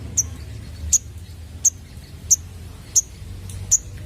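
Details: Six high, sharp single chips about two-thirds of a second apart over a low hum; a sunbird lure sound aimed at making young sogon birds respond.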